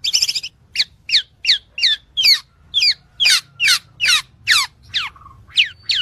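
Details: Black-naped oriole giving a fast series of harsh, downslurred notes, about two or three each second, after an opening burst of buzzy chatter; a steady faint tone hums in the background.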